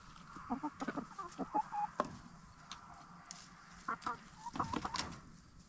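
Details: Black Star and Bielefelder hens getting settled for the night in their chicken tractor, a movable coop; busy bursts of short clucks and a few drawn-out notes, with scratching and pecking sounds.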